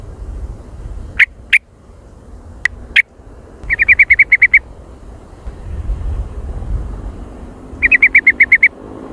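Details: Sooty-headed bulbul lure sound, described as very active and noisy: a few isolated sharp clicks, then two quick rattling bursts of repeated chip notes over low traffic-like rumble.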